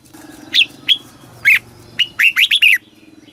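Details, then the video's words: Red-whiskered bulbul in a cage, southern Thai master song style used to teach young birds and rouse caged ones; a few spaced whistled chirps build into a quick run of four or five slurred, warbling notes. "เสียงนกกรงหัวจุก สำหรับต่อ หรือ เปิดให้นกคึก"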